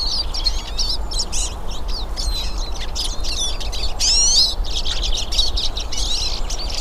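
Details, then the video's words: Several wild hooded siskins singing in nature: rapid high twittering and chirping phrases come almost continuously, with one louder rising trill near the middle, over a steady low hum. "VÁRIAS PINTASSILGO CANTANDO NA NATUREZA"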